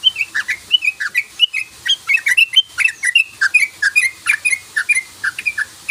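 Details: Sooty-headed bulbul, rapid 'ropel' lure song: dense run of short bubbly chirping notes, many rising or falling, tumbling together almost without pause, several per second, clear and loud throughout.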